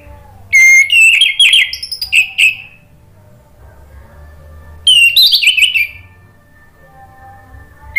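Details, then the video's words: Orange-headed thrush song played as a lure to prompt a bird that has stopped singing to answer and sing. Two loud bursts of rich, varied whistled and warbled phrases, roughly four seconds apart, with a quiet low hum between them. "PANCINGAN ANIS MERAH agar BUNYI NYAUT JADI GACOR NGEPLONG"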